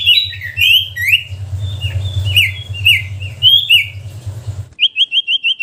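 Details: Common iora whistle variations in a chattering song style: bright downslurred whistles in quick phrases over a steady low hum, ending with a fast series of about six short upswept notes.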